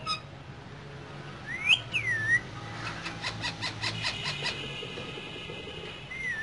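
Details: Caged pair of green parrots whistling: a sharp rising whistle and a falling looped whistle, then a soft buzzy pulsed chatter and one more rising whistle at the end.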